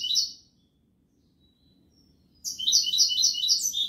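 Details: A brief trill then a pause before a long, vigorous burst of bright repeated twitters from a goldfinch singing Malaga style.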